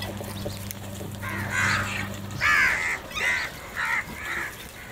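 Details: Crows squabbling over food: a series of loud, rasping caws, about five separate harsh calls spaced roughly half a second apart, with a low steady hum fading out partway through.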